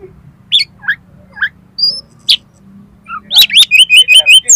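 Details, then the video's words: Oriental magpie-robin singing to provoke other magpie-robins into song and tail-spreading: scattered sharp chips and short whistles, then a fast run of about eight evenly repeated high whistled notes at the close. "DALAM HITUNGAN DETIK KACER KALIAN PASTI LANGSUNG ON !!! MAU BUKA EKOR"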